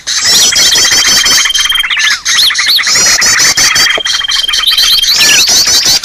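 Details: Green leafbird lure call, the noisy type: crowded harsh chattering with bouncing whistled loops and two long level whistles, a short dip after two seconds, then the din resumes.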